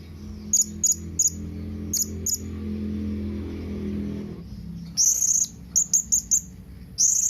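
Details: Blue-crowned hanging parrot calling to companions, giving scattered sharp, piercing high notes, then a denser run of longer shrill calls and quick chips in the second half, with a low rumbling hum fading out midway.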